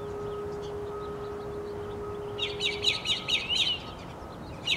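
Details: Northern mockingbird singing: after a quiet start with a steady low hum, a quick phrase of high, scratchy notes is repeated about five times in a row, then a final note begins.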